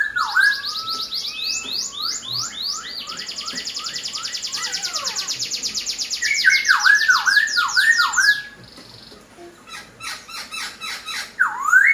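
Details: Laughingthrush song: long rapid series of high repeated sweeping notes, then loud looping whistles, a quieter stretch of clipped chirps, and a final rising whistle.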